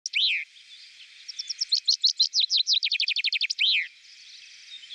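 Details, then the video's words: Common chaffinch (Fringilla coelebs): a lone downslurred note, then a bright accelerating series of high notes that speeds into a fast trill and ends in a loud descending flourish. "Reclamo Del Pinzón Vulgar (Fringilla coelebs)"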